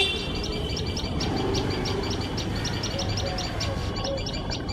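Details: Tailorbird pair raising a shrill alarm as a male cat sits close to their nest: rapid, high, sharp chip notes repeated about three times a second over a steady low rumble, with a faint mid-pitched whistle.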